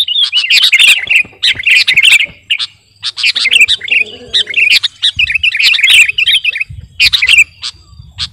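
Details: Sooty-headed bulbul, the kutilang garuda type, in energetic gacor song used as master song and lure; dense bursts of bubbly, chirping notes in rapid runs, brief pauses between phrases, faint low hum underneath.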